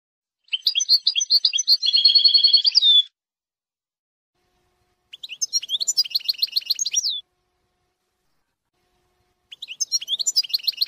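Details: European goldfinch singing a beautiful song without mistakes. Long, rich twittering phrases mix bright chirps with a fast buzzy trill, followed by two more rapid tinkling runs with falling slurs, each separated by a couple of seconds of silence.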